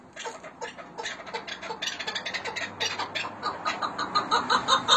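A chukar's harsh clucking chuk notes, about two or three a second, building steadily louder through the clip.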